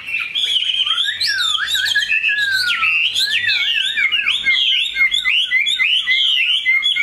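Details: Large, tame Chinese hwamei with a superb voice delivers long, loud whistled phrases, including a slow falling slur, then a rapid jumble of high chirps and trills.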